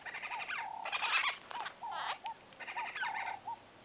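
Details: White-fronted bee-eaters in close conversation, a run of nasal, buzzy squeaks and chattering notes in short bursts, some with a falling tail, repeated with brief pauses.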